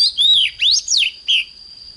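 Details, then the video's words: Oriental magpie-robin singing in the morning, in a recording for training heated singing: four loud clear whistles, some rising and some falling, spaced by short pauses, over a constant faint high-pitched tone. "Chích choè than hót sáng || Luyện choè than HÓT CĂNG LỬA"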